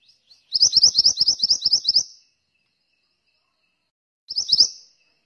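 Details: Actively singing pied bushchat (mantenan): a burst of about a dozen high, bright, rising chirps delivered fast for one and a half seconds, a two-second pause, then a shorter burst of four chirps.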